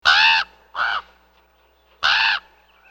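A raven gives three harsh, rasping caws, the middle one shorter, with pauses of about half a second and over a second between them. No other sounds.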